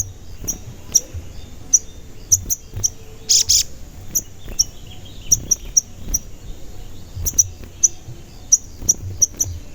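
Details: High, thin 'cuit cuit' chirps from a sogon, played to make captive or wild sogon call and grow agitated, repeated steadily about once or twice a second, with one brief louder burst, over low rumbling noise.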